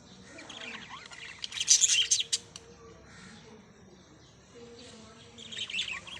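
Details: Parrots chirping: a burst of rapid high, scratchy chirps and squeaks, fading to a quieter stretch, then another chirping bout near the end, over a steady background hiss with faint low murmuring.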